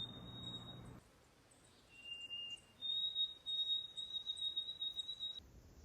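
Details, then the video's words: White-throated Sparrow whistling in Canadian wilderness at an off-grid homestead: clear pure notes, a high note, a brief lower one, then a long steady high whistle, with a faint low murmur at start and end. "White throated sparrow"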